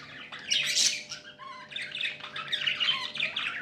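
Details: Contented domestic budgerigars warbling: a loud scratchy burst, then short gliding whistles and a steady stream of raspy chatter.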